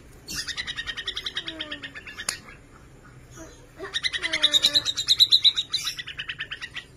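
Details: White-rumped shama of the Borneo type, described as a vigorously singing bird with a rich repertoire and used to prompt silent shamas to sing: two bursts of rapid, buzzy, evenly pulsed high notes, separated by a short pause, with one sharp click.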